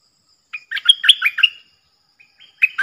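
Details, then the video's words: Decoy bulbuls, four birds, recorded 31 July 2021, give one cheerful, gurgling phrase of about a second of tumbling whistled notes, then a faint note and the start of another burst. "เสียงต่อนกดอกแตงEp.68 เสียงต่อจากป่าจริงๆ นกต่อ4ตัว!!! Suara merbah lekir gacor"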